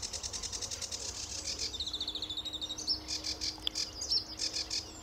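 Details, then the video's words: At RSPB Fowlmere on an early July 2013 morning a sedge warbler sings: a run of chattering buzzy notes speeding into a descending rattle, then sharp squeaky whistles and harsh chirrups. "Sedge Warbler at RSPB Fowlmere"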